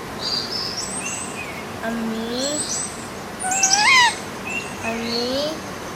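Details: Talking pet green ringneck parrot: short, voice-like gliding notes rising in pitch, repeated in small groups, with a louder, sharper squeaky call in the middle, over a constant hiss.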